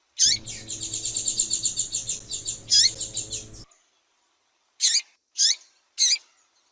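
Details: Calls of a female double-collared seedeater, used to stir up the male: a long rapid trill of high pulsed notes broken by a sharper chip, then a pause and three sharp, well-spaced chips.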